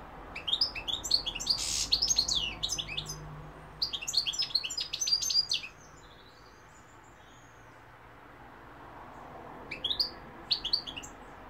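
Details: Lively European goldfinch song: dense runs of sweet, rapid twittering mixed with rising and falling buzzy notes over the first six seconds, a long quiet stretch, then a few separate sharp chirps near the end.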